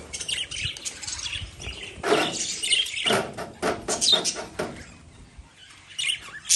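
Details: Lovebirds giving nearly continuous shrill chirps and harsh squeaky notes, with several louder, coarser bursts around two, three and four seconds and a final sharp chirp near the end.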